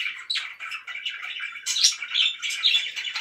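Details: Loud pet budgerigar chirping, a continuous busy warble of squeaky, scratchy notes with a few brighter squawk-like chirps around the middle and end.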